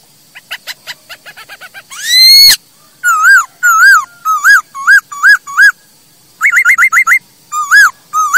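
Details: ['Masked laughingthrush song for luring and tutoring birds: soft ticking notes, a loud rising upward sweep, then varied looping whistles and a fast run of sharp repeated whistled notes.']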